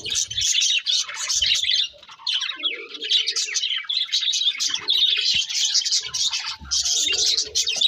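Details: Several pet budgerigars singing while they eat: a dense, continuous high chattering warble of rapid twittering notes, broken by short pauses near two and six seconds, with a few lower, rougher notes mixed in.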